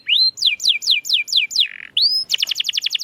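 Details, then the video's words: Brief stretch of canary song used to prompt silent canaries into song: a run of falling whistled slurs about seven times a second, a short buzzy note, a rising whistle, then a quick, tight chattering trill. "Kenari Gacor‼️Masteran Handal Pancingan Burung Bisu Agar Cepat Gacor Lagi"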